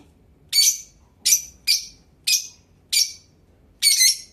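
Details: Blue Fischer's lovebird indoors uttering six loud, harsh, high squawking chirps, each short and falling, spaced about every half second to second with quiet gaps.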